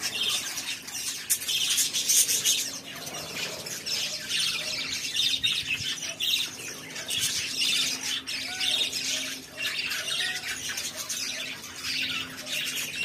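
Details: A pet budgerigar chatters in busy bursts of scratchy, high-pitched chirps and squawks, with a faint steady hum behind, recorded 26 December 2022.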